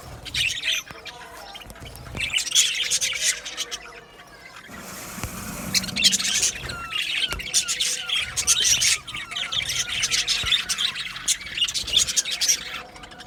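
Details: Aviary colony of budgies chattering in bursts, loud overlapping twitters and squeaky chirps with a brief quieter lull around the fifth second before the chatter resumes.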